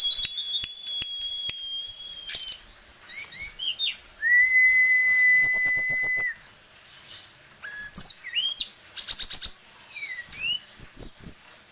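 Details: Tame kept sulingan gunung songbird, said to carry many song variations, runs through a varied medley: a drawn-out level whistle, rapid trills, slurred upward notes and high chirps, punctuated by clicks.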